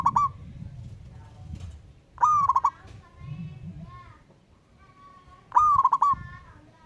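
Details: Zebra dove of local wild stock calling out a rival: clipped pulsed coo phrases recurring roughly every three seconds, each opening with an upward-swept note, with a steady thin whistle of another bird in between.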